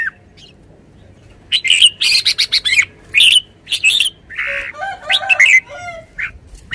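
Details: Caged decoy Red-whiskered bulbul bursting into a fast sequence of loud, bright whistled notes, followed by a rough buzzy note and a lilting, wavering warble.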